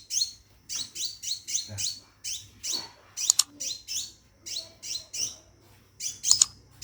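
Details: Caged scarlet minivet calling for a female to mate, giving sharp, very high chirps that drop in pitch, delivered singly or in quick pairs with irregular gaps and a few brief clicks.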